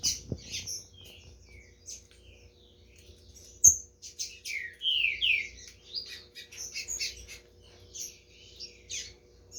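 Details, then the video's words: Green-winged saltator in a bird tournament ('torneio de fibra') in Brazil, 15 July 2021: scattered high chirps plus several clear downward-slurred whistles near the middle, with sharp clicks and a faint steady hum indoors. "TRINCA FERRO GOLD RUSH (CORVO X FOGUEIRA)"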